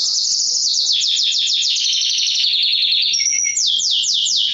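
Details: Mosaic canary song used to stir females to mate and to train young birds: fast rattling trills of slurred descending notes, then a short level whistle and a final run of sweeping notes.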